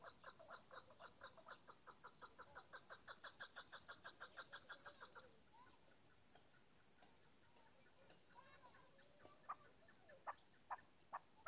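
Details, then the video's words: Female chukar partridge giving a rapid series of clucking chuk notes for about five seconds, then falling quiet amid faint background noise, with a few scattered sharp clicks near the end. "female chakor voice"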